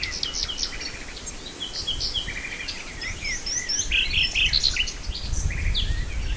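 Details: Nightingale song recorded in Brijeste: scattered high chirps and short whistles, then a loud burst of three or four repeated rattling notes, with other birds and a low rumble of background noise.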